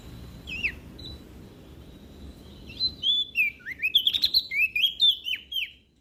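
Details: Olive-backed tailorbird from NTB, sung to encourage lazy birds to sing: a few scattered high notes, then a fast three-second run of bright whistles and sharp chips.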